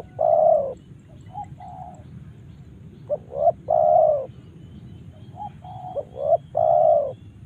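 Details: Spotted dove in Karawang calling in repeated phrases: a short clipped note, a rising hoot, then a long, full, level coo, with softer mid-pitched coos between phrases; steady low rumbling background.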